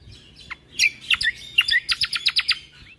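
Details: Energetic cucak kombo song meant for training caged birds, 'full isian tembakan' style: a few sliding whistles, then a dense run of sharp high chips and clear notes delivered quickly in the second half.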